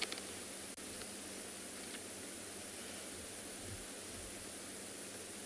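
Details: Constant broadband static hiss with a brief dropout near the start and no animal calls.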